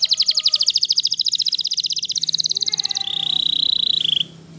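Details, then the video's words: Waterslager canary singing a long rapid rolling trill of high pulsed notes that drops slightly in pitch, ending in a sustained pure whistled tone; light background noise. "Canary Waterslager Singing"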